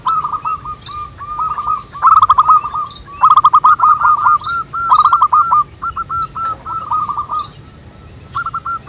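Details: Many local zebra doves singing together in the wild, overlapping series of short, clipped coos that swell into dense loud passages and thin out toward the end, with sharp clicking notes and scattered high chirps.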